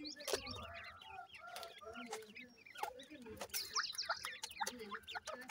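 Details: A group of francolin chicks during feeding gives a steady stream of high, descending squeaky peeps from many birds at once, with intermittent clicks and tapping sounds.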